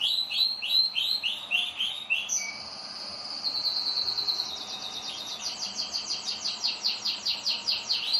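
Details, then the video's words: Pet canaries in full song: a run of evenly repeated sweeping notes, then a sustained high buzzy trill, then quick rapid pulsed rolls, with other canaries overlapping. "UM POUCO DOS MEUS CANÁRIO FAZENDO BARULHO!"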